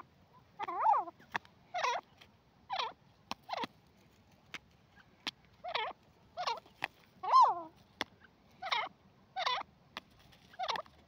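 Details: Teetar, a francolin, gives loud, harsh, harmonic calls repeated roughly every second in a steady series, each note bending downward, with sharp clicks scattered between them in a quiet setting.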